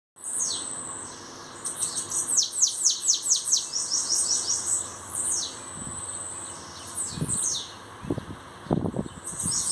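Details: Bananaquit, a newly arrived singing bird, giving high, thin, hissing song: fast runs of descending sweeps, then pauses and shorter bursts, over a steady faint hum, with a few low knocks near the end.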